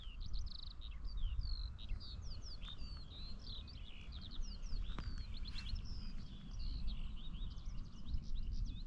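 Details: Eurasian skylark singing in flight from the sky over freshly mowed meadows, 17 June 2024: a long, unbroken stream of rapid, high chirps and trills holding roughly level in pitch, over steady low wind rumble.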